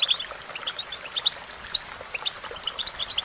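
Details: Goldfinch song for singing practice: spaced, sharp chirps and sweet high notes scattered through a few seconds, some fast doubled twitters.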